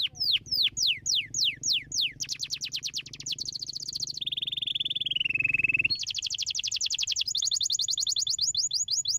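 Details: Chosen canary singing to stimulate lazy canaries into song: a series of steep descending whistles, then a fast even trill of rapid notes, a long wavering sustained whistle, and another rapid repeated trill, with low background hum.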